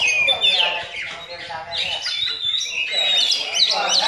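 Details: Myna-imitating song from an Oriental magpie-robin, rapid jumbled whistles and chattering notes, some squawky, with bright looping upslurs toward the close.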